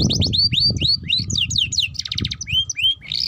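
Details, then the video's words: Juvenile canary practising its song: a quick series of upward-sliding whistles, about three per second, followed by a dry rattling trill and clear slurred notes, over a low background hum. "Pancingan Kenari Paud Cepat Bunyi || Cocok Untuk Kenari Paud Belajar Bunyi Ngeriwik"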